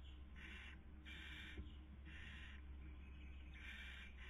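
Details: Barn owls at a webcam nest in Cabañeros National Park, Spain, 2020 breeding season, female feeding, male trying to sleep; five harsh hissing bursts over four seconds above a steady low hum.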